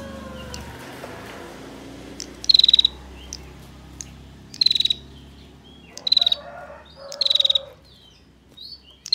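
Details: Female bar-winged prinia, ngebren ngetir rapat style used as master song for training songbirds: four fast ticking trill bursts roughly every one and a half to two seconds, high and dry, with faint chirps and background hum.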